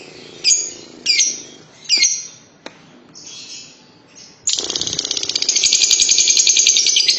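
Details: Lovebird in long ngekek trill: three sharp chirps spaced about a second apart, a brief pause, then an unbroken, rapid, buzzy high chatter that runs steadily to the end.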